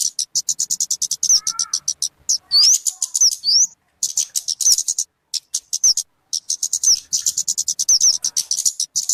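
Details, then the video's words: Kemade or talokan bird sounds intended for luring or tutoring: bursts of quick high chips separated by short silences, with twisting whistled upslurs and a low quavering note near the start. "SUARA BURUNG TALOKAN/KEMADE"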